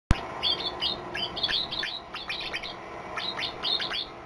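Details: White-eye with an unusual, unique song: bursts of sharp, high twittering notes, each dropping quickly in pitch, delivered in quick runs separated by short pauses over a faint hiss.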